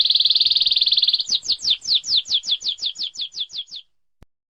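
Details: Canary singing on a training master meant for magpie-robins, leafbirds and white-eyes: a clear, buzzing high trill for a second, then about twelve sharp downslurred whistled notes in quick steady succession, ending in silence with one faint click.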